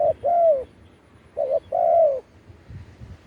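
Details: Spotted dove cooing in a live recording, used as a calling song to attract wild doves: two bursts, each a short stuttered coo followed by a long, slightly arching coo, over quiet low rumble.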